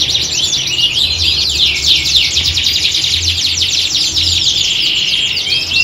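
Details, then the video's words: A group of canaries singing together in a recording mimicking a competition, meant to train the birds' mentality. Rapid descending trill strokes give way to a long, smoother rolling whistle near the end, over pulsing low hum. "Kicauan Squad Kenari Siap Gantang!"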